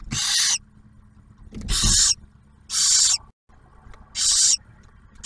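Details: At a barn owl nest near Oak Harbor, Ohio, the male delivers food while the female shares it with the first hatched owlet; a series of harsh, drawn-out hissing screeches about once a second, with faint knocks between.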